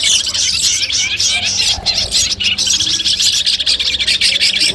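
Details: Long-tailed shrike voices gathered for pre-competition training: a steady stream of high, rapid twittering and harsh chips, overlapping and unbroken, over a faint low hum.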